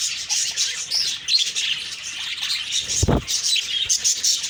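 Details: Morning budgie flock giving rapid high chirps and warbled chatter, with a brief low thud near the middle.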